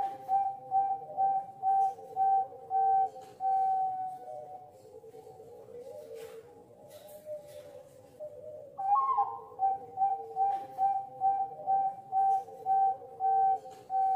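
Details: Zebra dove of the Bangkok type, from a Malang breeder, sings rapid series of short, pure cooing notes, pauses briefly, then starts a new series, while a softer lower dove voice continues in the background.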